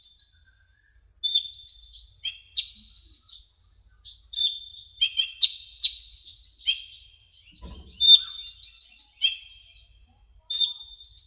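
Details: Brown-throated sunbird song used as a tutor recording for cage birds: high, rapid chirps and short twittering phrases near a steady thin whistle, in bursts separated by brief pauses, with one low thump.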